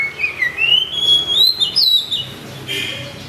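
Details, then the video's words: Curve-tailed white-rumped shama singing at a rival: one long, pure, flowing whistle that wavers gently upward and then dips, followed by a quieter buzzy note. "Murai batu ekor lengkung muntah materi panggil lawan"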